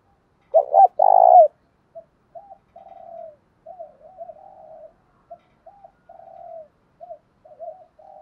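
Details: Spotted dove cooing to draw in wild rival doves for a fight: one loud, rough double coo burst opens, followed by a string of quieter short coos and trilled, gently falling notes at uneven intervals.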